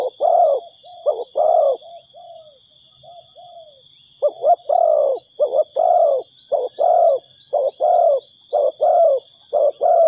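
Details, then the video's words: Spotted dove calling as a lure for trapping birds: clipped, hoarse low coos in uneven bursts, about one a second, with a short pause mid-clip, over a steady high whining drone and faint twittering chirps. "Suara Burung Tekukur Bersih Cocok Untuk Pikat"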